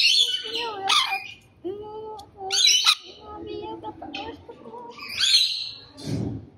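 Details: Harsh rainbow lorikeet screeches alternate with steadier squeaky, whistled tonal notes, ending in a low thump-like noise.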